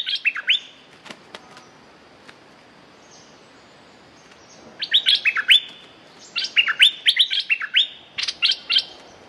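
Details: Streak-eared bulbul, a territory holder with a strong, fierce song, giving bursts of quick, bright, upward-slurred chirps. One short series comes early, then two longer rapid runs of rising notes follow after a quiet pause, with a few faint clicks between.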